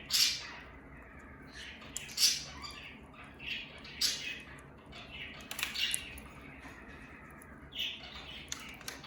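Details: A pet conure, eating and enjoying its food with a little shaking, gives harsh, scratchy squawks roughly every two seconds.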